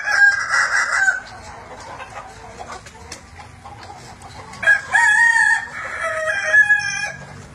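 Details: Kukuak Balenggek rooster, an Indonesian endemic breed, crowing as evening falls: a brief loud opening phrase, quiet gap, then an extended crow of several rising and falling syllables.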